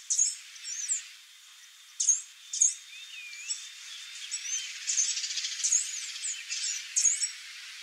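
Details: Female swallow tanager, short high sharp notes given in scattered bursts over about seven seconds, with faint thin whistled curls from other birds in the background.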